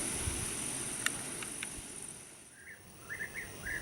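European bee-eater giving several short, rolling, liquid 'prrup' notes in quick succession, mid-pitched, over steady high hiss and low rumbling background noise.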